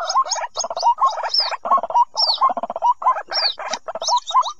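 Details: White-breasted waterhen chick calls, recorded as a lure for trapping waterhens hiding in thickets: dense overlapping chatter of low upslurred notes with thin high squeaky chirps, repeated in quick bursts.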